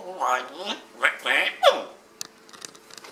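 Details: African grey parrot reciting the mantra Om Mani Padme Hum in a voice like human speech, a few drawn-out syllables followed by faint clicks and small noises in a quiet room.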